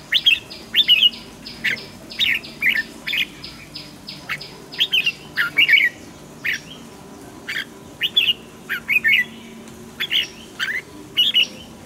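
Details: Red-whiskered bulbul used to train other bulbuls sings short, rich warbled phrases repeated roughly every half second to second throughout, with thin high descending whistles in the background.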